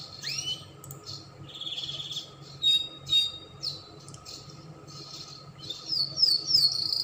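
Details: Spanish Timbrado canary, a recording meant for training young canaries: scattered short whistled and buzzy phrases with upward-curving notes and brief trills, quieter and more broken than a full song, over a faint hum.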